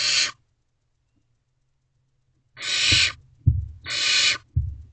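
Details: Owlet of barn owl calling for food from its mother and father, nest box C, night of 15 May 2023, 2:55 am: three broad hissing screeches, a long pause after the first, with thuds between the last two.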